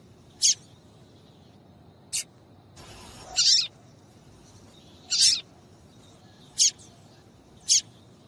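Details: Calls of a female papa-capim (Double-collared Seedeater), used to excite males into song: six brief, high-pitched chips spaced irregularly, with a short burst of hiss partway through.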